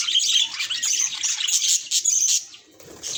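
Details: Budgerigar reacting to a mirror: fast high chirps and scratchy warbling notes pour out, then fade to near quiet before a last burst.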